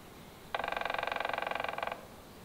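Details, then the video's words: Northern flicker wood-pecking: one loud, fast roll of evenly spaced taps lasting about one and a half seconds against a quiet background. "Northern Flicker call and wood-pecking"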